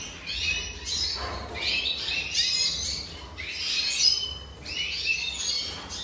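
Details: Song of a Red siskin from the 2023 season. Rapid high twitters and slurred buzzy notes come in bursts about every second and a half, with a soft low rumble in the background.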